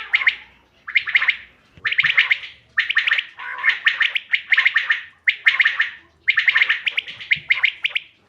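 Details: Quail (common quail) calling, presented as a hunting lure, 5 June 2025: about eight strong bursts of quick, liquid clicking pulses, each under a second long, repeated roughly once a second.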